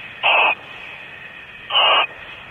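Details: Two adult owls near their nest cavity at night, Starr Ranch, 10:25 pm, July 2012: two loud, rough, hissing screeches, each about a third of a second long and spaced about 1.5 seconds apart, over a constant low hiss.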